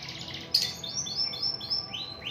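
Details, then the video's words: Canary singing actively: a short run of about six high, quick down-slurred notes repeated at an even pace after a sharp opening chip. "Burung Kenari Gacor"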